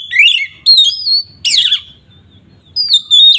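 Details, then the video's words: Ngeplong song of an oriental magpie-robin, played to rile rival kacer: strong whistled phrases, one sweeping sharply downward, then a pause and a final bright, sustained whistled note. "Suara burung Kacer ngeplong ini paling ampuh untuk pancingan Kacer agar emosi"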